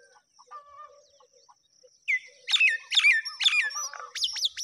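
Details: Myna chicks at feeding time: after two seconds of faint chirps, loud harsh squawks burst out in quick succession, each sweeping sharply downward, with a steady high whine behind.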